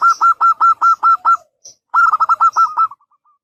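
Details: Local zebra dove, a lively big-voiced singer used as a lure for a reply; two fast series of clipped, pulsed coo notes, about six to eight each, the second trailing off into fainter notes.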